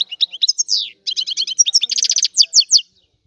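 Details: European goldfinch of Sicily singing a rare old-style song: quick high twitters, a rapid buzzy trill, a few loud clear chirps, then silence.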